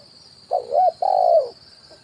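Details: Luring call of a spotted dove, 'kuk 1' from branch and ground: a rolling, wavering coo then a drawn-out hooting note tailing off, single bird, against a constant high hiss.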